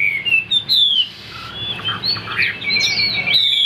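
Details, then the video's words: Caged Chinese hwamei in Vietnam delivering clear, high whistled notes, a long sliding slur, then looping warbled phrases and a final bright whistle. "Bộ khủng hót cực tốt, đuôi lá vả, hót cao cầu | Họat Họa Mi"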